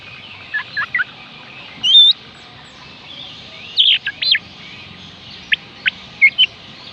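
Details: Oriental magpie-robin song used to get silent birds singing: scattered sharp chirps and a high whistled slur, then bursts of steep rising and falling whistles, separated by short pauses.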